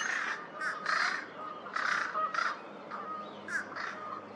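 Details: American crow at Twin Lakes on 8 April 2023, after many failed tries to sound like fish crows, gives a run of short, nasal caws, about seven in four seconds, some clipped and hoarse, over quiet outdoor background.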